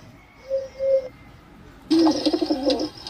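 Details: Pigeon calling indoors, two short steady tonal notes followed by a burst of overlapping deep cooing with a fine hiss in the background.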